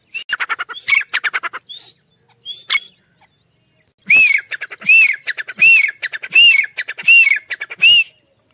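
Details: Black francolin chicks, fighting, give harsh, high squawks in rapid bursts, then a steady series of arching screechy notes about every 0.8 seconds.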